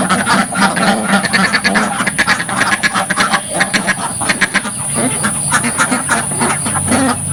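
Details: Ducks packed in a village farm pen quack in bursts, rapid runs of nasal calls with brief dips in loudness between them, recorded at close range.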